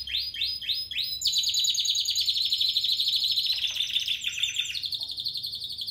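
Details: A 2017 Spanish Timbrado canary opens with four swooping repeated notes, then runs into a long, rapid, rattling metallic trill that gradually descends and slows.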